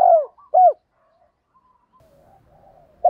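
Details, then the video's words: Spotted dove, kích bổi song style: a falling coo and a second short hoot in quick succession, then near silence before another note starts at the end. "tiếng chim cu gáy kích bổi mới nhất"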